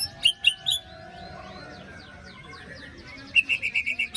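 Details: White-rumped shama after its moult giving 'besetan' lure song: three sharp, abrupt notes, a quiet gap with faint chatter, then a rapid string of about seven clipped whistles.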